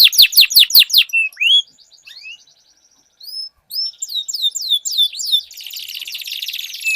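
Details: Canaries in a singing duel with long rolling song: a fast burst of steep descending notes, a short pause, then high whistled slurs and a dense buzzy trill near the end.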